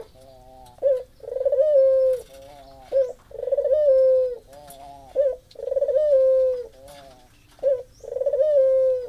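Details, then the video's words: Puter dove lure call, meant to coax a dove that has stopped calling: low, mellow coos repeating roughly every two seconds, each a short clipped note followed by a longer rolling, slightly rising coo, with faint clicks behind. "pancingan burung puter macet"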